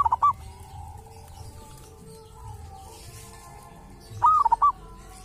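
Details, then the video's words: Local zebra dove from a sacred tomb, said to sound distinctive: a brief cooing burst opens, then faint murmuring and a second clear phrase of quick soft notes after about four seconds, against low background hum. "perkutut lokal dari MAKAM KERAMAT ‼️punya suara cirihas tersendiri"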